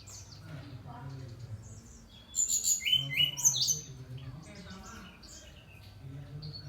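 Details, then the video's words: Brown-chested jungle flycatcher in lively song, with a cluster of sharp high whistles and lower slurred notes in the middle. Faint human voices are heard before and after. "Sikatan rimba dada coklat SRDC gacor"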